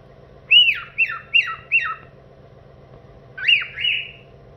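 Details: Pet male cockatiel performing his own invented tune: four loud, quick notes that sweep sharply downward, a pause, then two longer sliding notes. A constant low hum sits in the background.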